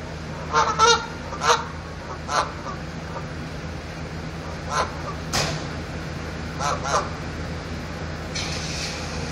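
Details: Geese standing on the roof of a van honking: scattered nasal honks, some doubled, spaced a second or two apart over a steady low rumble and background noise.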